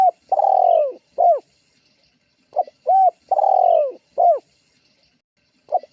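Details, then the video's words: Spotted dove calling loudly as a lure meant to provoke rival doves: short looped coos and a long, slightly falling, drawn-out coo, in two phrases about three seconds apart, with no other sounds. "Suara tekukur GACORR menekan emosi lawan"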